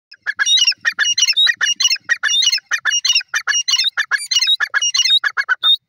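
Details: Female grey francolin, locally called teetar, giving a loud, rapid series of harsh, squawky notes packed closely together for about six seconds, with the rhythm stuttering and uneven throughout; no other sounds stand out.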